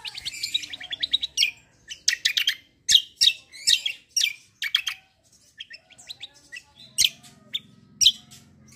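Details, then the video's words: Black-winged myna giving an energetic rolling fight song: loud harsh chattering bursts and sharp clicks in rapid clusters, with short pauses between phrases. "KECIAL KOMBO CUCAK KOMBO TARUNG NGEROLL GACORR"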